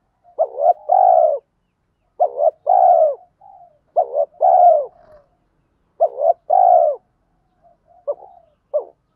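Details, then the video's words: Spotted dove lure singing 'thổ pha' voice with quick 'thúc gù' coos, meant to make wild-caught birds coo in reply: four paired phrases, each a short throaty note then a longer falling coo, roughly every two seconds. "chim cu gáy mồi giọng thổ pha thúc gù như máy khâu, bổi nghe ức chế gáy theo, mở là gáy"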